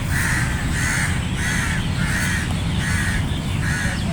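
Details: Crows in a flock giving rhythmic harsh caws roughly every half second, even and regular, over a constant low rumble.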